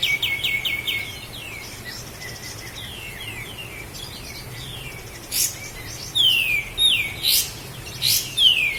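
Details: Master recording of a Sooty-headed bulbul from Lahat for cage-bird training: quick chirp trill and falling notes early on, a quieter stretch, then loud clear downward-swept whistles near the end, separated by sharp clicks.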